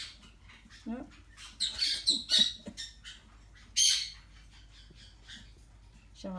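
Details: A four-week-old yellow-chevroned parakeet gives harsh, buzzy, high squawks in a few short bursts, while a person talks softly in between.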